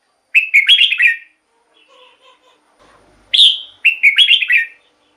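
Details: Red-whiskered bulbul singing, the recording meant for decoying or stirring up caged bulbuls: two lively chortled phrases of liquid whistles separated by faint, soft lower notes.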